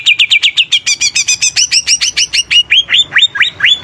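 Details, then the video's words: Lively greater green leafbird song used to excite other birds: quick repeated chips change into higher double notes, then into slower rising whistles. "Suara Cucak Ijo Gacor||Cocok Untuk Pancingan Burung||Dapat Menaikkan Emosi"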